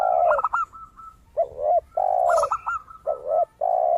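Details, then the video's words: Singing zebra dove, valued for its crystal-clear voice and played as a lure: bursts of rapid, high, clipped cooing notes interleave with lower, drawn-out coos of a spotted dove singing alongside. "PERKUTUT GACOR suara kristal"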